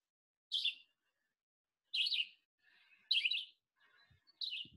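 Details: Red-eyed vireo song played during a talk on spring migration songs, described as really fast compared with similar vireos: short, slurred, high phrases repeated roughly every 1.3 seconds, with faint low knocks between them.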